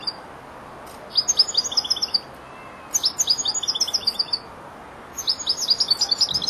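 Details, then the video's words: Four-month-old European goldfinch, a young bird starting to finish its song phrases, sings high twittering bursts: three fast trilled phrases of bright, clipped notes, each lasting about a second, separated by short pauses. "jilguero el estudiante rematando"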